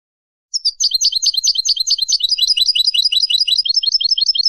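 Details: Spanish European goldfinch song from a tutor recording made to teach young birds, a fast clean run of bright chirping notes that keeps up without pause, with no background noise.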